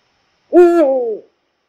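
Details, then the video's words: Eurasian eagle-owl, Poland's largest owl, giving a single deep hoot: a steady low note that slides downward and fades after under a second, with no other sounds. "Odgłosy puchacza - głos sowy"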